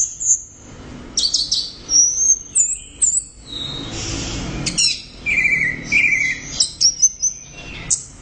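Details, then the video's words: Orange-headed thrush song full of high piercing whistles, quick chips and warbled runs, including a repeated two-part rising phrase, sung in dense rapid bursts. "Suara Burung | ANIS Merah Gacor Volume Keras Teler Mantap"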